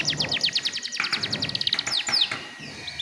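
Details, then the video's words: Canary singing used to spur young canaries: a fast series of bright high notes sliding downward, a few sharper slurs, then fading; low rumbling noise underneath. "PANCINGAN KENARI BAHAN TERBARU"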